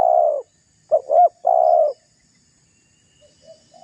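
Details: Provoking call of a spotted dove meant to draw rival doves as a lure: the tail of a long coo, then two clipped notes and another sustained coo, followed by faint softer coos from farther off.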